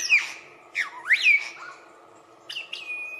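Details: Lyrebird from Australia copying other birds while performing its courtship dance, with loud whistled slurs that dip and rise, then a steady high sustained whistle.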